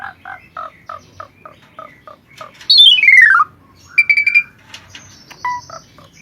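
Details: Asian pied starling song in a varied mastering recording: a run of short evenly spaced harsh notes, then a loud whistle sweeping steeply downward, a buzzy held note, and scattered chirps and squawks.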